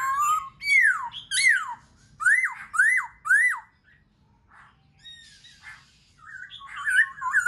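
Black-throated laughingthrush giving loud, fluty whistles, a quick run of rising-then-falling slurred notes, then softer chattering and scratchy phrases, in a small echoing room.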